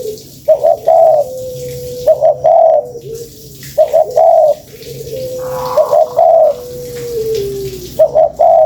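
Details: Spotted dove lure call: cooing phrases of two or three quick low notes running into a longer drawn coo, repeated about every two seconds, with a steady humming tone between phrases.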